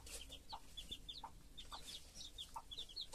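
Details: Young chicks with their broody mother. Bright, sliding cheeps come in little bursts, and a soft, deeper clucking note repeats roughly twice a second.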